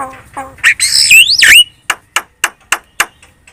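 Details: Javan myna lure song intended to get other birds calling back: a harsh squawk and a swooping whistle, then a series of about six evenly spaced sharp clicks.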